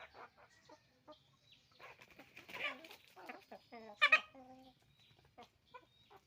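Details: Roosters and hens on a chicken farm, clear short clucks and drawn-out squawks, one loud harsh squawk standing out, in a quiet setting.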